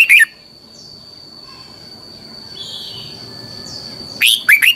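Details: Red-whiskered bulbul training song, long double twisting style. The clip opens with the tail of one whistled phrase. A long quiet stretch follows with faint distant chirps. It ends with a new phrase of rapid looping notes. A constant high tone persists.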